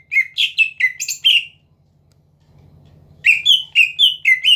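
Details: Greater green leafbird kept in a cage sings clusters of whistled, slightly buzzy notes, pauses over a low hum, then resumes with evenly spaced whistles, a song meant to make rivals respond.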